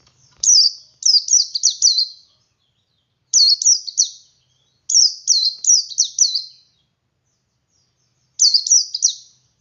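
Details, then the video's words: Clean ngalas song of a male Oriental white-eye, used to prompt other white-eyes to sing: five phrases of three to five rapid, high, sliding chirps with silent gaps between. "Suara Burung Pleci Jantan Ngalas Memancing Pleci Lain Ikut Ngalas"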